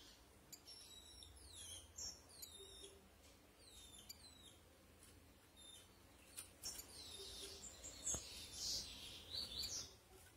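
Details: Female rufous-collared sparrow in captivity, calling to stir up males: clusters of fast, thin, descending chip notes, then a brighter high whistled phrase with rustling and cage clicks.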